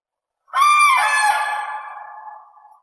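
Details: Common crane giving one loud, clear bugling call, slightly rising at the start, then a steady rolling tone that dies away.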